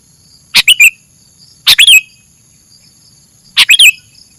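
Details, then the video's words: Sooty-headed bulbul song used as a lure for catching birds: three short, bright chirping phrases of two or three quick notes, spaced about a second and a half apart, over a steady high electronic hum. "suara burung kutilang buat mikat"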